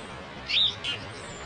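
A Dark-eyed Junco gives two short, high, sharp chip notes about a third of a second apart over a faint background hiss.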